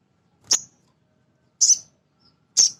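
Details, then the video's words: Male sogon, a small nectar-eating sunbird, calling to provoke other birds: three loud, shrill chirps about a second apart, the later two slightly longer and doubled. "Suara Sogon jantan asli"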